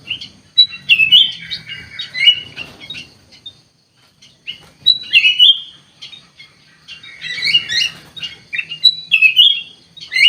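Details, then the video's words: Kutilang emas, or ruby-throated bulbul, singing gacor: bursts of bright whistles and warbled phrases separated by short pauses, each burst starting with a clear high note. "KUTILANG EMAS GACOR COR COR"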